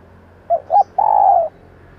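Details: Female spotted dove call, used to stimulate decoy males and train them to respond quickly: two short low coos, then one long, slightly wavering coo falling at the end, all mid-low and mellow, over quiet background.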